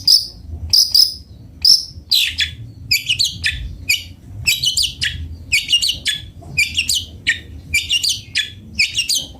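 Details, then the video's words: A long-tailed shrike (cendet bondol) sings melodiously: a few pure whistled high notes, then rapid tumbling chattered phrases repeated in a lively string of short bursts. "Suara merdu burung cendet bondol"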